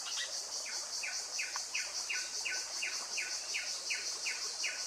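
Blyth's paradise-flycatcher gives a steady run of short, down-slurred notes, about two or three a second, over a loud, constant high insect drone.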